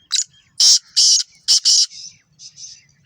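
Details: Black francolin calling in Sindh, Pakistan: a series of harsh, grating, hissy notes in quick groups, the loudest two pairs close together, followed by fainter rasping notes.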